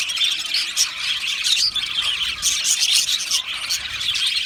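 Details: Aviary colony of budgerigars giving a steady flood of shrill chirps, squeaks and short whistled notes, all layered together.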